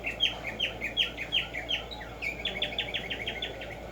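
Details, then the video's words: Black-striped sparrow (Tumba Yegua) singing in the morning in nature: a run of bright, downslurred whistled notes, about ten in two seconds, a brief pause, then a quicker burst of similar notes over steady background hiss. "HACER TRINAR a Tumba Yegua Audio para estimular el CANTO"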